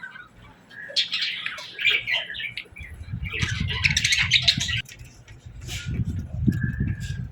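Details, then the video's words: Budgerigars chirping in the morning, irregular bursts of harsh, chattering chirps and squeaks, with a brief whistled note near the end and some low rumbling background. "Parakeets Morning Chirping Sounds"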